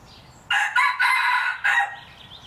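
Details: Red, a 3-year-old breeder rooster, a hybrid roughly 75% pure red junglefowl, gives one harsh, broken crow of about a second and a half, with a choppy start and a drawn-out middle, over a faint background hum.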